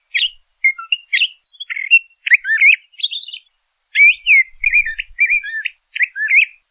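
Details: Steady string of whistled and warbled phrases from a LeConte's thrasher, each phrase different, some slurred upward, some down, at a brisk pace.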